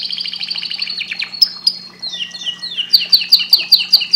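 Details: Canary singing at length: a fast run of high sweeping notes, then a series of sharp clicky trills repeated about twice a second, over a steady low hum.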